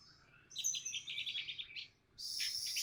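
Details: Orange-headed thrush answering a lure after being reluctant to sing. A shrill high note is followed by a run of quick, bright warbled phrases, then a sustained high sizzling burst.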